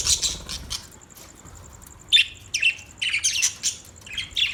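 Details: Budgerigars chirping: scattered high, scratchy chirps and short squawks in quick bursts, starting faintly and growing busier in the second half, over a steady faint high-pitched ticking hum.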